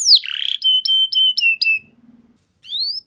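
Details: Canary singing to prompt other canaries to sing: a falling whistle into a steady pulsed tone, five short level piping notes, a pause, then one rising whistle.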